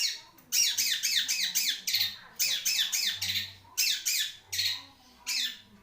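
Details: Harsh squawking phrases from a caged long-tailed shrike, each a fast run of five or six rasping notes, with short pauses between runs.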